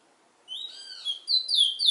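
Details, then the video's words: Chestnut-bellied seed finch, the bird called bullfinch in Trinidad, gives a quick run of high, clear whistled notes, several sliding downward. The phrases grow louder over about a second and a half against a quiet background. "Trinidad bullfinch MUSIC"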